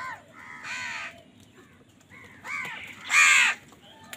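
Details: Crows calling while fighting for food, a series of hoarse, downward-arched caws building to one loud, rasping cry near the end, over a steady low hum.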